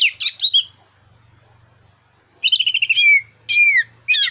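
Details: Black-breasted oriental magpie-robin in full song, used as a lure for competition birds: fast chattering notes, a quiet spell with faint low humming, then a rapid trill and slurred whistles.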